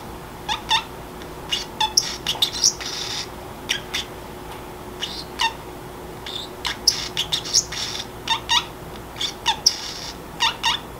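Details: Indoor pet Pacific parrotlet's distinctive sleepy self-talk: eleven seconds of loose chatter, clusters of scratchy squeaks and short whistles separated by brief pauses, some notes dipping lower and softer, steady low hum throughout.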